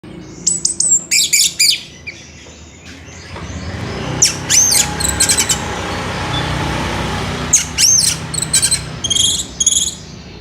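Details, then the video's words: Orange-headed thrush singing in the evening, a lure recording meant to get other orange-headed thrushes singing: bursts of high, shrill, varied whistled and chattering phrases, a quieter stretch with a steady low background hiss, then more sharp rising notes. "Pancingan Punglor SORE HARI"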